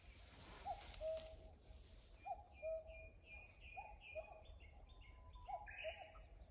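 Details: Off-key common cuckoo returning from last year calls four times: a brief rising first note sliding into a lower flat one, roughly every 1.5 seconds, while smaller birds twitter higher up in the background.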